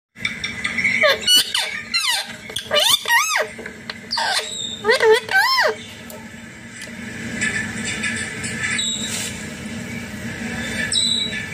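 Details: Indian green ringneck parakeet kept indoors: a series of loud, squealing, wavering notes rising and falling sharply in the first six seconds, then quieter background noise with faint voices.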